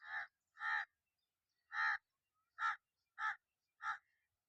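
A crow gives six harsh, nasal caws, spaced roughly half a second to a second apart, against an otherwise quiet background.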